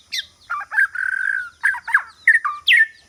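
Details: White-rumped shama kept as a lure for rival birds, singing loud, close phrases: a high opening note, then mellow looping whistles, a long sustained whistle and several rich downslurred notes.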